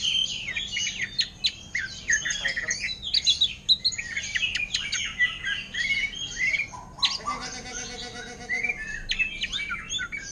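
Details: In orange-headed thrush style, a caged greater green leafbird pours out rapid high chattering and warbled notes for several seconds, followed by a sustained low buzzy tone and then further sharp chirps.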